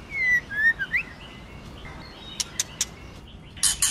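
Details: Female white-rumped shama singing in forest-voice style to stimulate the male: a run of clear, loud whistled notes sliding up and down, then sharp dry clicks and two harsh rasping bursts near the end.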